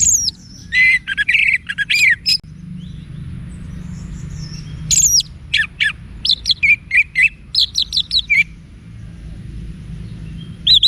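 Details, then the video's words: Wiksar song of an orange-headed thrush, meant to provoke other thrushes into answering: a long varied run of sharp whistles, slurred rising and falling notes and quick chirps, delivered in dense bursts with brief pauses, faint hum beneath. "ANIS MERAH Manapun Bakal Nyaut Berani Untuk Figther Saat Didengarkan Kicauan Wiksar Ini"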